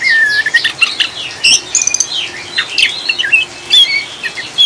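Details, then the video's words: Chattering 'ngriwik' song of an Oriental magpie-robin, used to calm and stabilise caged birds alongside rain sounds: a long whistled note, then scratchy chatter, clicks and sharp high whistles tumbling in irregular bursts. "Kacer ngriwik ngeplong‼️Pancingan suara air hujan dan kacer ngriwik ampuh untuk stabilkan burung"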